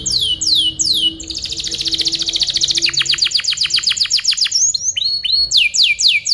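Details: Canary song played as tutoring material for other birds: quick falling whistled sweeps, a long rolling trill of rapid descending notes, then more repeated sweeping whistles.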